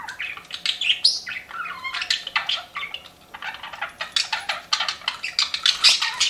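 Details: Pet budgies chirping indoors, a rapid run of short bright chirps and warbled notes, mostly high-pitched, with a brief quieter lull near the middle before the chatter picks up again.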